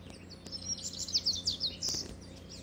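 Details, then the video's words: A single rapid phrase from a singing double-collared seedeater, a run of sharp, high twittering notes strung closely together, then a bright closing note over steady low background hum. "Papa-capim coleira cantando"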